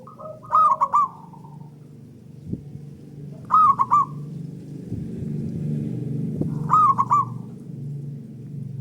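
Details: Local zebra dove singing loudly as a lure to stimulate other doves, with answering birds: three loud bubbling coo phrases, each a quick stutter of three rolling notes, repeated about every three seconds over a low background hum.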